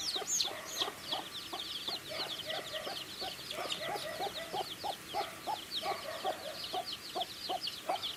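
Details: Several baby chicks chirping while they eat, producing thin, high peeping notes in quick succession, mixed with steady lower tapping sounds from feeding.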